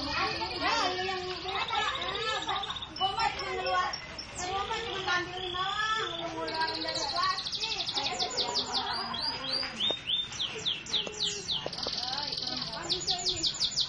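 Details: Canary singing in varied phrases: long steady high whistled tones alternate with quick rolling trills and descending sweeps, with some low chatter behind.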